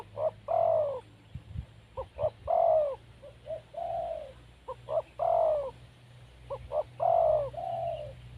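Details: Four cooing phrases from a wild spotted dove: quick double notes, a loud drawn-out coo, then a quieter, lower coo, over a steady faint hum.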